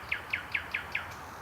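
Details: Common nightingale singing in the evening or at night in Mytishchi, Moscow Region, near the Moscow Ring Road, recorded on an old camcorder: five sharp, clear notes repeated rapidly about every fifth of a second, over steady low background noise.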